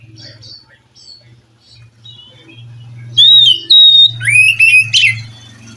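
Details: Oriental magpie-robin from the wild, answering a captive bird that is reluctant to sing: a low steady hum and faint notes at first, then a clear long whistle and a few bright, rising, varied phrases.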